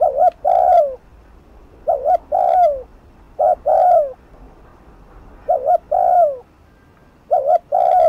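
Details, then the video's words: Spotted dove in fast 'thúc gù' cooing, played at a decoy to rile rivals. Regular phrases roughly every 1.5 seconds: a short two-note lead-in and a mellow, downward-sliding coo. "Cu gáy Thúc Gù TỐC ĐỘ kích bổi/kích mồi nổi điên gáy ngay"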